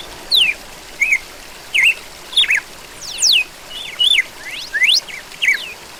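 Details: Red-cowled cardinal delivering a run of about nine short whistles, mixing falling slurs, rising sweeps and wavering notes at an irregular, lively pace against a quiet hissing background.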